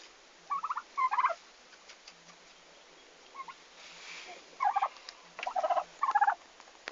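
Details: Turkeys just delivered to a farm, 11 August 2015, giving several harsh, stuttering gobble bursts in two clusters separated by a quieter stretch with faint soft noise.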